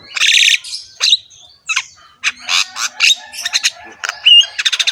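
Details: Javan myna with a rough voice: a harsh grating burst, then scattered chirps, squawks and a wavering whistle, ending with a quick rattling series of short notes.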